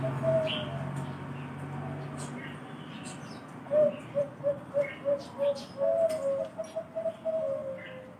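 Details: Perkutut or zebra dove of the Bangkok kind, prized for an exceptional, thick voice: a coo early on, then a run of evenly spaced soft coos ending in a trilled, drawn-out phrase, with faint chirps of other birds.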